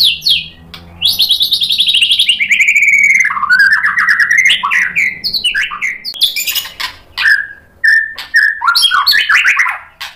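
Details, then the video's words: Agitated white-rumped shama replying to a rival fighter, showing off its repertoire: long loud downward-sliding whistles, then rapid varied chopped phrases mixing clear whistles with harsh buzzy notes. "MURAI BATU GACOR bikin EMOSI NYAUT FIGHTER jadi BONGKAR ISIAN"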